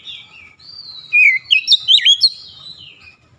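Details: Oriental magpie-robin in a brief "nembak" shooting song: a soft, wavering whistle leading into a handful of loud, twisting, squeaky notes before easing back to quiet whistling.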